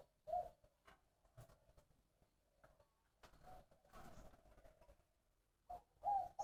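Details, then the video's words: Spotted dove from Long An, Vietnam, singing in the three-part "3 ròng" style with a "giọng đồng" (brassy) voice: low, mellow coos in short bursts, separated by pauses, with sharp clicks and knocking noises throughout. "Tiếng chim cu gáy 3 ròng giọng đồng"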